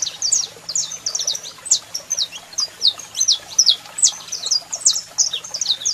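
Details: Saffron finch male in full song with a female calling: crisp high downslurred chips in a lively, uneven run, some louder accented notes, over a low hum.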